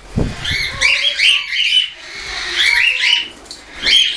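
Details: Young hand-tame cockatiels, some already feeding themselves and some not yet, recorded on 10 September 2012, chatter in bursts of harsh, high squawks and chirps with brief pauses; a few low thumps at the start.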